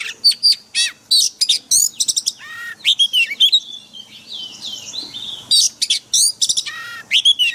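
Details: Forest-style white-rumped shama song meant for training caged birds, with loud piercing whistles, swooping slurred notes and quick chattering phrases delivered in bursts with short pauses between.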